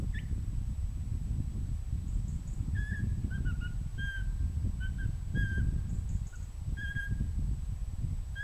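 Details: Pygmy owl giving a long run of soft, short whistled notes, some paired, spread through the recording above a loud, constant low rumble.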